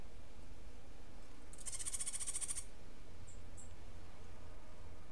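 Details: Cuban grassquit singing in a unique martillito style. A single high, buzzy, rapidly pulsed trill lasts about one second, then a couple of faint short chips follow over steady low hum.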